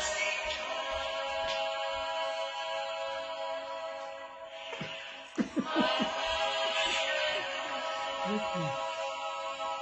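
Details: Steady music plays beneath speech, with brief laughter and a few sharp knocks partway through. No animal calls stand out.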